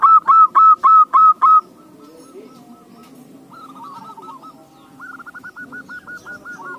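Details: Zebra dove (perkutut) lure song to set other doves singing: five loud, rapid coo notes, then quieter rippling coo sequences from more distant doves.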